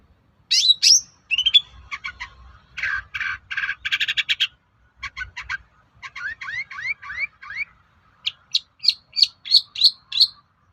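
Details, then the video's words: Lure song of a long-tailed shrike meant to make other shrikes answer: a long mimicking medley of rasping chatter, rapid rising trills and a closing series of sharp high repeated chips. "SUARA PANCINGAN BURUNG CENDET AGAR MAU NYAUT GACOR"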